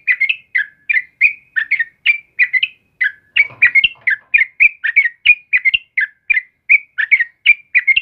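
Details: Sooty-headed bulbul in full morning song, delivering a long unbroken chain of clear chirpy whistled notes, each dipping then rising, about three to four per second, with a faint low thump midway.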